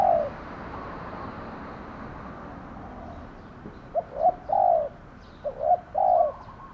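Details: Lure spotted dove used in decoy trapping gives one mellow coo. Two quick phrases follow, each with short clipped notes leading into a drawn-out, slightly falling coo, over a faint continuous hiss.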